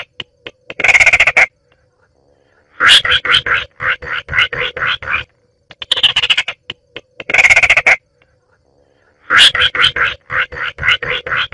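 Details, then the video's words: Baillon's crake, looped as a ringtone. Dry, rapid rattling pulses come in bursts about every two to three seconds, some short and dense, others longer and stuttering, with clean silence between bursts. "Baillon's Crake Bird Sound"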